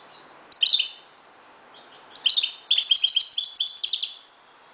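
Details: At dawn a Moroccan European goldfinch sings lively, high chattering phrases: a short opening burst, a brief pause, then a longer tumbling sequence of tinkling, twittered notes.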